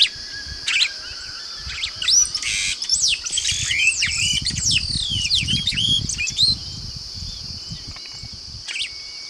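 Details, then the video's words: Yellow-rumped Marshbirds (chupim do brejo, Pseudoleistes guirahuro) give a lively jumble of overlapping whistles and rising, slurred notes over about five seconds, as if several birds call together, over a steady insect hum. "CHUPIM DO BREJO"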